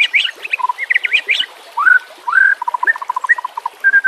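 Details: White-rumped shama song for training caged murai batu: varied chattering and whistled phrases, slurred upsweeps, then a quick string of short repeated low notes and a final sustained whistle.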